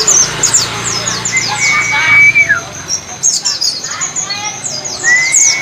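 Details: White-eye song used as a training recording so a pet bird learns the wild-style "wit wit cer" song: rapid thin high chirps in bursts, a drawn level whistle ending in a downslur, a low hum in the first two seconds.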